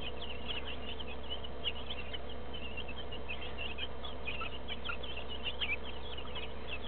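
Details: Flock of two-week-old broiler chicks alongside some laying hens, many birds peeping at once in quick, bright, upward-flicking chirps, with a persistent deep fan-like hum underneath.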